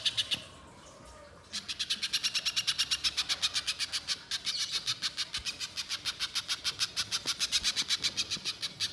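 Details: Spiderhunter in a long, continuous chattering song used as a lure in the wild: a sustained run of rapid, sharp high chips, about four per second, lasting over seven seconds after a brief opening note.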